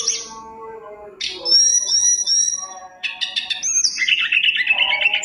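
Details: Mountain tailorbird song, full of varied added phrases, meant to get other birds singing: long high whistled notes, sudden bursts of rapid stuttering chips and a dense trill, a low hum underneath.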